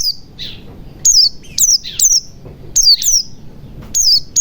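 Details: White-eye in forest style, used to trigger singing in a silent white-eye: quick, high, falling whistles in tight pairs, rapidly repeated, with a softer, lower slurred note near the start.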